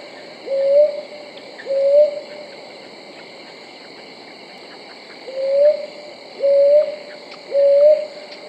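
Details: Brown hawk owl calling: five soft, slightly rising hoots at mid-low pitch, two early, then a pause of about three seconds before three more roughly a second apart, over a steady high insect-like drone.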